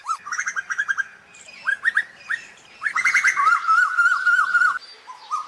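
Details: Asian koels calling to gather the flock, with short rising whistled notes in quick bunches followed by a long, sustained wavering whistle, several voices overlapping.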